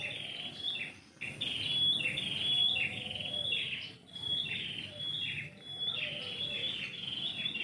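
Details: Morning chirping from a tree in a home's yard: steady, high, sweet notes delivered in short, overlapping bursts with brief dips, over a low murmur of ambient noise.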